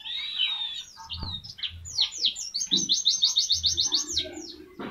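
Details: Pleci white-eye singing tembakan tutor song: varied sweeping high notes and twitters build into a fast, regular burst of around a dozen sharp chips, with soft low thumps in the background.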